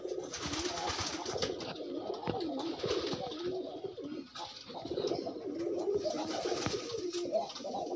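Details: Pigeons pairing while loose. Dense, overlapping low coos murmur almost without pause, as if from several birds, with scratchy rustling throughout.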